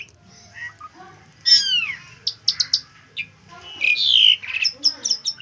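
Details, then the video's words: Asian pied starling, recorded for training other birds: after a quiet start, a few descending whistled slurs, then short sharp chips and a loud buzzy burst, followed by clipped high notes. "Burung jalak suren cocok buat masteran"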